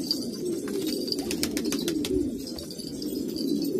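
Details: Low, soft cooing from a group of old-breed pigeons in Kabul, Afghanistan, a continuous throaty hum punctuated by sharp clicks and tapping sounds.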